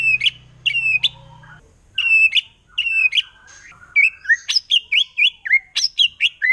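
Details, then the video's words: Wild forest white-rumped shama song meant to rile other shamas: repeated whistled phrases ending in sharp flicks, followed by a quickening series of varied high chirps and slurred notes. "Murai Batu Hutan Kalau udah Nembak Bikin Emosi Burung Murai Lain"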